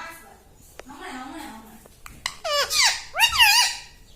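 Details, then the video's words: Green pet parrot mimicking human talk indoors: faint low murmuring first, then from halfway through, loud, bending, nasal speech-like syllables in two quick phrases. "Talking Like a Human - Mummy Bolne Wala Tota - Talking Parrot"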